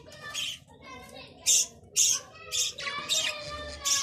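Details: Budgerigar calling, with bright, scratchy chirps in bursts roughly twice a second, mixed with lower warbled, voice-like chatter.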